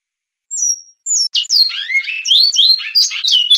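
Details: Great-billed seed-finch singing the Goiano Clássico style, Batuque line: two high whistled opening notes, then a rapid run of varied slurred whistles and warbles, rising and falling, with no other sounds.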